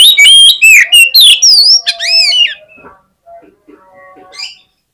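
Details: Oriental magpie-robin in a provocative fighting song aimed at rivals. A fast run of loud, varied whistles, swooping and slurring, about three to four notes per second, fades into soft scattered notes and a final brief phrase.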